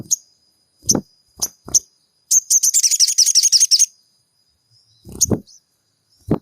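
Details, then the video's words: Sogon song meant to trigger a caged bird's singing: sharp single chirps, then a dense, buzzy, fast-repeated high trill for about one and a half seconds, followed by more chirps with low clicking sounds. "MASTERAN SOGON GACOR PENJEBOL EMOSI SOGON MACET BUNYI"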